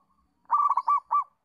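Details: Local zebra dove call used as a master recording to coax captive doves into calling diligently: a quick string of soft, gurgling coo notes, then a short pause and one final rolled note.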